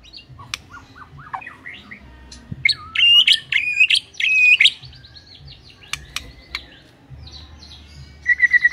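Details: White-rumped shama song with scattered whistles and clicks, a loud burst of rich warbled phrases in the middle, then quieter notes and a rapid ending series.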